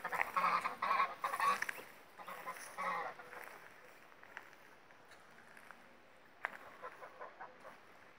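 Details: Pomeranian Saddleback geese with their first goslings, the goose taking a bath nearby; a few rough honks at the start, then fading to softer distant calls and faint rustling noises.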